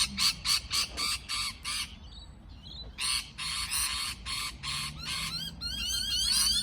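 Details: Parrot calling in rapid, raspy bursts, about four per second, then a pause and more grating calls ending in thin, rising, overlapping chirps.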